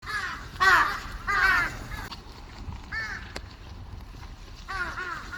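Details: Many crows gathering to eat on March 18, 2026, giving hoarse descending caws in short bursts, several overlapping in the first two seconds, then scattered single calls with quiet gaps.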